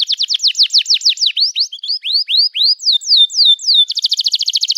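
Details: Long 'gacor' canary song, used as therapy for canaries that have stopped singing: steep down-slurred notes in quick series, rising curved whistles, long falling glides, and a closing rapid buzzy trill.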